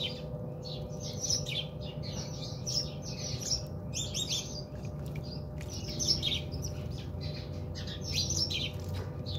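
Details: Several house sparrows chattering while bathing at a home in South Africa: dense, overlapping runs of sharp chirps with almost no gaps, over a faint constant hum and low background rumble.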